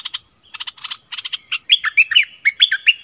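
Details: Caged decoy streak-eared bulbul singing: a run of quick clipped chirps, then bright bubbly whistled phrases of rising and falling notes, delivered in rapid succession.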